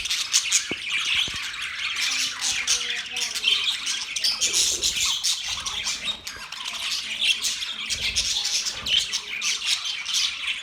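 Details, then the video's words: Many budgerigars, October 11, 2023, chirp and squawk in a lively, unbroken babble of high scratchy notes, with a couple of sharp clicks early and soft low bumps near the end. "Budgies chirping sounds"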